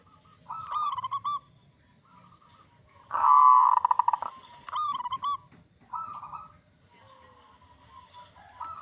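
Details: Local zebra dove, a loud big-voiced singer used as a lure to prompt other zebra doves to sing, giving bubbly cooing phrases of rapid pulsed notes, several separate bursts with a louder rolling phrase at the centre.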